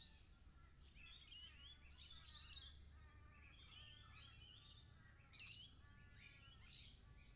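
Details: Lorikeets calling, heard in an immersive 360 recording: a dense chorus of sharp, shrill chirps and screechy notes in overlapping bursts, with louder peaks near the middle and end, over a low steady background rumble.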